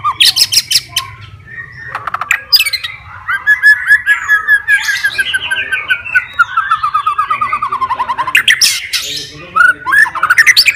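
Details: White-rumped shama, a fighter bird singing to seek a rival and provoke other shamas, delivering varied loud song with rapid repeated chattering notes, harsh squawks and rich warbled phrases in a fast continuous stream.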